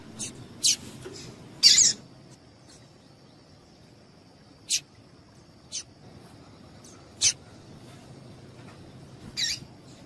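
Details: Female Double-collared seedeater chips meant to get males singing: sharp, high, clipped notes, a quick cluster at the start, then single notes every second or two.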